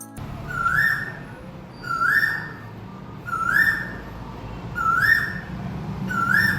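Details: Asian koel in Sri Lanka giving its breeding-season call, a loud, clear whistle rising sharply at the end, repeated about once a second over a low background hum.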